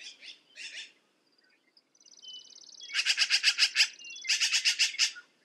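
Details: Black-billed magpie with two short rasping notes, a pause, a high buzzy trill, then a long loud chatter of grating notes and a second quick chattering run.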